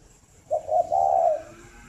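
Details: A captive spotted dove from a northern Vietnamese breeding farm near Hanoi gives one morning coo: two short soft notes followed by a long, smooth, low coo fading out.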